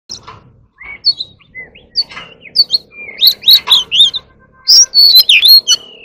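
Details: Oriental magpie-robin in competitive singing, a caged song-contest bird: varied whistled phrases, rising and falling slurs and scratchy notes, building into a dense burst of loud, sweeping whistles after a sparse start.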